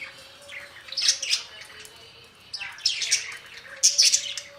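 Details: Budgerigar warbling with rapid squeaky, buzzy chirps and rising twittery notes in three main bursts, a thin steady tone running beneath.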